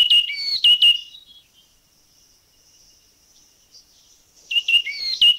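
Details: Yellow-cheeked tit giving quick bursts of bright, clear whistled notes and sharp chirps, a short run, a pause with faint hiss, then another run; recorded in Thai national parks (Khao Yai, Doi Inthanon, Doi Suthep-Pui, Chae Son).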